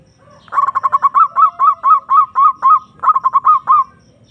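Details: Zebra dove lure song meant to call a rival: rapid staccato notes lead into a regular series of arched, ringing coos, then a second stuttering phrase after a short pause. The background is quiet.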